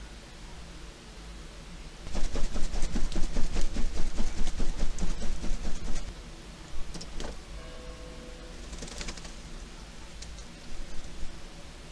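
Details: Mechanical rattling and clicking, like a car's power window motor, over low rumbling vehicle noise, with a brief faint squeak; no animal is heard.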